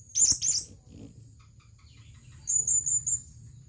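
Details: Calling male blue-crowned hanging parrot seeking a female: a loud doubled shrill chip, then after a pause a quick series of four thin high notes, over a faint low hum.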